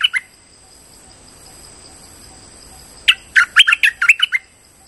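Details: Streak-eared bulbul lure call: a brief chirp, then a rapid burst of about eight bubbly, slurred notes in the mid-high range; steady faint hiss and high tones behind.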